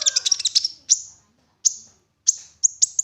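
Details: Olive-backed sunbird lure song: a quick burst of high chattering trills, then single sharp descending chips repeated at uneven intervals, meant to prompt other sunbirds to sing.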